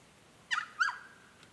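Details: Noisy Friarbird (subspecies monachus) near water in the Capertee Valley, NSW, on a warm sunny mid-September day in 2019: two loud, nasal, harmonic notes, the first sliding down, the second rising then falling, a third of a second apart, background quiet.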